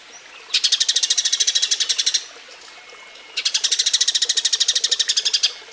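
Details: Mating call of a Eurasian tree sparrow, recorded cleanly as a model for teaching other cage birds: two bursts of fast, even, high-pitched chirping, each lasting about two seconds and separated by a short quiet gap.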